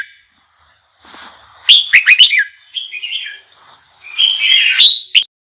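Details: Song of a red-whiskered bulbul meant to provoke other bulbuls to sing: a quick series of sharp, liquid chirps followed by a wavering whistled phrase and a longer buzzy, warbling trill.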